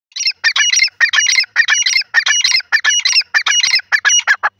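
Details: Dakhni teetar (grey francolin) calling loudly: harsh, squawking multi-note phrases repeated in a rapid, rhythmic run of about two per second with short gaps, against a quiet, clean background.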